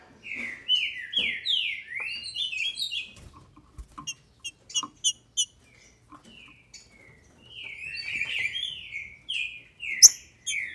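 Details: Female green-winged saltator in captivity, Brazil, singing to excite males: bursts of clear whistled notes sliding down, in short phrases, broken by clicks and taps, with a pause mid-clip before a second run of phrases.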